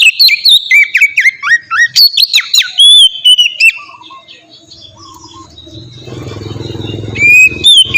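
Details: Oriental magpie-robin singing, used as a lure to prompt other magpie-robins to sing: loud whistled and slurred notes with sharp chips for about four seconds, then a quiet stretch with a low rumble before the song resumes.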